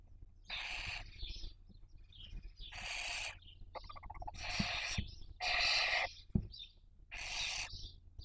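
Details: Barn owl family at a nest in Cabañeros National Park, Toledo/Ciudad Real, Spain, 2023 breeding season: five loud, drawn-out, noisy hisses spaced one to two seconds apart, with faint squeaky notes in between.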